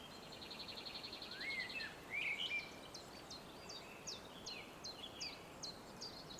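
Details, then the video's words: Sunrise birdsong by Mavrovo Lake in Macedonia: a rapid high trill, then a couple of louder swooping whistles, followed by a run of sharp downward chirps repeated steadily, with soft background hiss. "Sunrise with Birds Singing on the Mavrovo Lakeshore"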